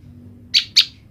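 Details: Captive female olive-backed tailorbird, kept apart from her mate, calling to the male: two sharp high chirps about a quarter second apart, quiet low background hum.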